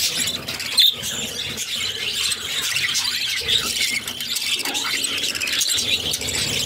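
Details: Mother budgerigar feeding her six chicks; the young keep up an intense, piercing squeal chorus with a louder sharp squeak early on and steady raspy chatter after.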